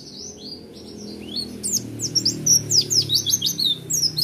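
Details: Oriental white-eye, an owned pet bird, in roll tembak song: soft scattered high notes build after a second into a dense, fast burst of sharp descending and rising chirps, with a faint low hum behind.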